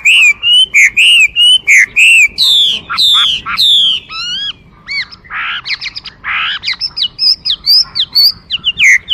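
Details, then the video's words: Chinese hwamei singing loud, varied whistled phrases: slurred rising and falling notes repeated in quick runs, shifting midway to rapid, sharp, jumbled twittering, then clear upslurred whistles again. "画眉鸟的声音 The Voice of a Thrush"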